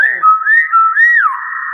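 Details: A common hill myna whistles loudly at close range: a steady tone carries several quick arched notes, with the final one gliding downward and ringing on.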